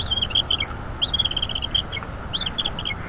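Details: Bald eagle eaglet in a wild Florida nest, calling a lot during an evening feeding in May 2021: three fast bursts of high, squeaky chittering, each a rising squeal then rapid chips.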